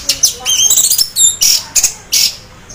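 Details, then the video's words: Orange-headed thrush (anis merah), half in breeding condition, teler-style song meant to draw other thrushes into singing: quick run of thin, sliding whistles, then harsh, rasping bursts separated by short pauses. "anis merah teler setengah birahi bagus untuk pancing anis lain agar ikut bunyi"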